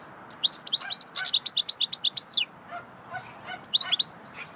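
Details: Goldfinch singing in the swittey style: rapid, high, tinkling twitters in a dense burst lasting about two seconds, a quiet pause, then a short second flurry of bright chirps near the end.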